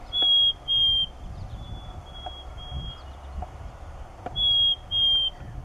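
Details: A male Black-capped Chickadee sings his clear, whistled two-note fee-bee song in nesting season to defend the territory, the second note slightly lower; the phrase comes twice, with fainter whistles between and soft background rumble.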